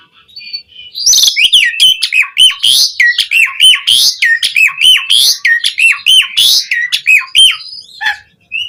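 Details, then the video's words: Jalak suren (Asian pied starling) singing forcefully as a training model for starlings: after a soft opening note, a fast run of paired clicks and falling whistles repeated steadily for about seven seconds. "Pancingan Suara Jalak Suren Gacor POWER FULL Variasi Isian Buat Masteran Burung Jalak Agar Cpt Gacor"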